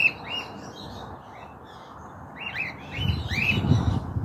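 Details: Cockatiel loose on a rooftop in an area where it is not normally found, 2023; short arching whistled calls at the start and a run of several more near the end, over low rumbling noise.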